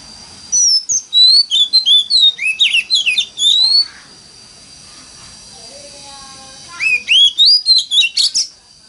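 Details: Oriental magpie-robin giving a lure song in the mountain-forest style, used to prompt other magpie-robins to sing. Two bursts of rapid varied whistles and slurred notes, a quiet gap of low tones between them, and a steady thin high whine throughout.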